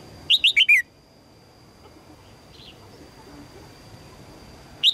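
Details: Female red-whiskered bulbul calling to attract a strong male: one crisp burst of four descending chirps, a long quiet gap, then the next burst just beginning, over a steady high whine.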